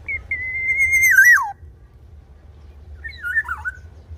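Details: Tame black-naped oriole singing two fluty whistled phrases: a long level whistle ending in a falling, wavering slur, then after a pause a shorter looping warble; faint low hum behind.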